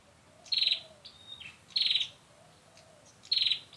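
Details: Trapping lure of a prinia: three loud, high buzzy pulsed bursts about one and a half seconds apart, joined by a faint thin whistle, over steady background hiss.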